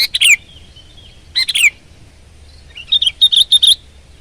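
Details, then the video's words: Sooty-headed bulbul (kutilang) singing persistently at full power: two bursts of bright chirping notes near the start and middle, then a run of rapid repeated chirps, over a quiet low hum. "Kutilang Gacor Garuda Suara Full Power"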